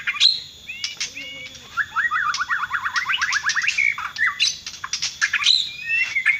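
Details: Bornean white-rumped shama in full varied song: sharp high whistles and chirps, then a fast rattling run of rising notes in mid-song, followed by slurred phrases and bright whistled notes, with a soft background hum.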